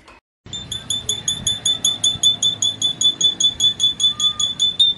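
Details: Belgian canary song used to prepare young birds, with clean, clear vocalisation: after a moment of silence, a steady series of short high pure notes repeated about three times a second, very even in rhythm.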